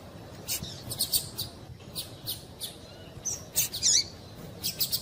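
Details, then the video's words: Softer, somewhat distant-sounding chirps from a female double-collared seedeater, given to rouse a male into song: scattered high clipped notes, a couple of louder swept chirps, over faint background hiss. "Piado de Fêmea de Coleiro para Esquentar Coleiro"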